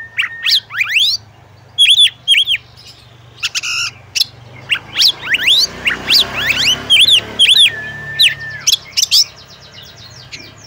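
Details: Female oriental magpie-robin calling a male to make him sing; dense run of rising sweeps and chirps, a short flat whistle, and a fading fast trill over a low background hum.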